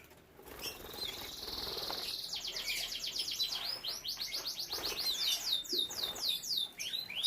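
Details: Domestic canary in a breeding room with young birds: a sustained buzzy rolling trill that gives way to a series of loud, sweeping slurred whistles, repeated about twice a second.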